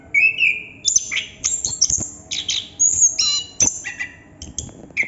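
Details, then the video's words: A Chestnut-capped thrush opens with a steady whistled note, then bursts into dense, varied high twitters, buzzes and downward slurs, typical of its rolling ngerol delivery. "Burung Anis kembang / Plontang Ngerol Non stop durasi panjang"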